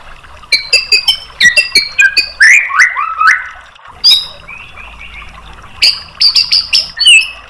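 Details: White-rumped shama provoking song with rapid burst phrases: clipped high chips and stacked whistles, a cluster of rising and falling slurred notes mid-clip, a soft buzzy trill, then more sharp chip bursts.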